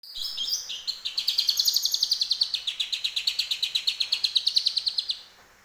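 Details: Home-kept greater green leafbird singing energetically, its repertoire filled with phrases learned from the grey-cheeked bulbul (cucak jenggot). A few opening notes lead into a long rapid trill of sharp high notes, about five per second, lasting four seconds.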